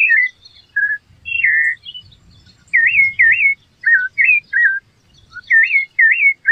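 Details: Rufous-bellied thrush song of looping, wavering whistles and falling slurs in separate phrases, over a soft low background hum.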